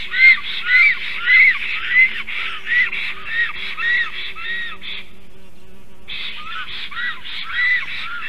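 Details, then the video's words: At their nest, a male and female black stork call against a strange stork near the nest tree, 12 July 2023, 11:42 am. Fast arched squealing notes run for five seconds, pause briefly, then resume more softly. "A strange Black Stork disturbs. Male & female are defending"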